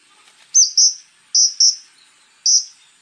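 Common Iora giving short, harsh, buzzy bursts, high-pitched and mostly in quick pairs, with brief pauses between them.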